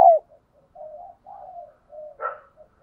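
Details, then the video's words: Lure spotted dove murmuring in the gáy gọi style. After a brief loud note, a series of soft, low, drawn-out coos follows, with one short, sharper note near the end. There are no other sounds. "Tiếng cu gáy cực hay THÚC và GÁY GỌI mới nhất, mở là gáy"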